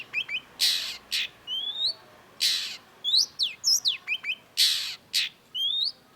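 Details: Cendet, the long-tailed shrike, singing a chattering masteran song: loud grating rasps recur about every two seconds, with rising whistled slurs, crisp chips and twisting notes between them.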